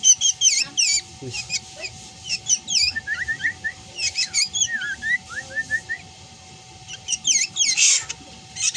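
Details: Black drongo in varied chattering song: rapid, lively runs of high whistled chirps and slurred notes, then a lower series of short rising whistles, closing with a harsh burst.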